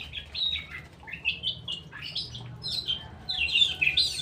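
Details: Straw-headed bulbul with a rapid run of liquid, bubbling whistled notes that climb and fall, ending in a dense, loud warbled flourish; faint low background hum.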